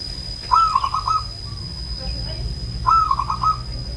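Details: An old zebra dove from Banyumas coos twice, each phrase a bright rising note followed by a quick run of four or five soft rolling beats, about two seconds apart, over faint low hum and a steady high tone.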